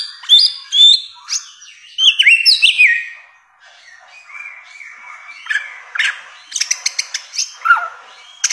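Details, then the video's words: Samyong, or bare-throated whistler, singing in a masteran recording: bursts of high whistled and falling notes, a quieter sustained whistle in the middle, then rapid clicking notes and a final descending slur. "masteran samyong 1001 suara durasi panjang"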